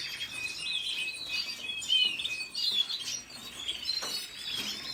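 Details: Red siskin singing a continuous, high twittering song of fast chirps, buzzy trills and short whistled notes that runs unbroken through the whole stretch, with a faint background hiss.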